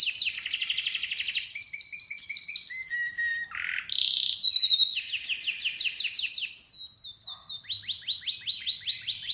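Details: Canary song of rapid trills and rattles, a short harsh burst in the middle, then evenly spaced repeated downward-slurred notes.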